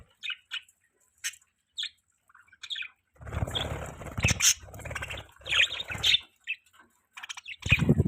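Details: Budgerigar chirping, a pet bird: short bright chirps and tweets repeated in quick bursts, then a denser busy stretch of chirps over low rustling or wing-flapping noise, ending with louder chirps.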